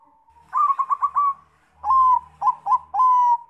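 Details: Zebra dove, Bangkok type, lure song to make other doves sing: a rapid warbling series of four cooing notes, a pause, then longer level coos broken by quick trills.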